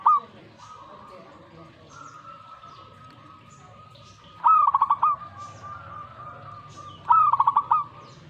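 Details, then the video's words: Zebra dove singing back to a master recording. A phrase is cut at the start, then two full phrases follow, each a rising note and a quick pulsed, rolling coo, spaced about two and a half seconds apart over a faint steady tone. "Langsung reaksi buat masteran perkutut"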